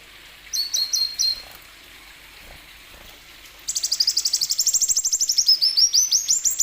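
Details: Plain sunbird song used as a lure to prompt other sunbirds to sing: a few high, thin paired notes, a pause, then a rapid, accelerating run of sharp high chirps that end in quick downslurred notes.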